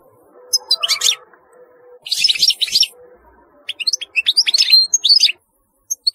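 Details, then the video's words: European goldfinch song: clusters of fast, high, jingling twitters and a rattling burst, followed by a long chattering phrase, clear against a quiet background. "تغريد رهيب للحسون"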